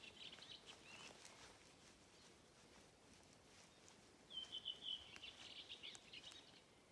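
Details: Redwing song recorded on 7 June 2023 at Hedströmstjärnen, Galtström, Sweden: a brief burst of high, scratchy twittering notes in the second half, against a steady background hiss.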